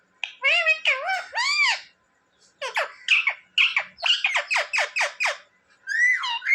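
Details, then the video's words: Indoor pet parrot that mimics human speech such as "mummy" and "papa", giving arched, nasal word-like syllables in clusters, separated by short pauses, ending in a rising harmonic squeal. "Parrot talking mummy mithu ko roti do🥰mummy papa bolane wala Mitthu"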